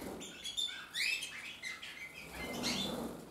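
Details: Red mosaic isabel canary cock, 2024, giving a few scattered whistled and chirped notes, some sliding upward, softer and broken, over a background of rustling noise.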